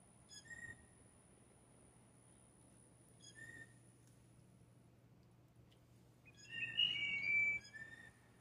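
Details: Blue jays giving mating calls while competing for a female: a few soft, short chirps spaced seconds apart, then a louder wavering whistle near the end, over a steady low hum.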